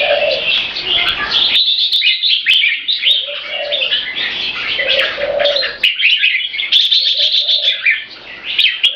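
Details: Caged, tame purebred Thai red-whiskered bulbul from a champion bloodline, kept for competitions, giving its marathon keke call: bursts of bright, chattering notes, with low cooing from doves in the background between phrases.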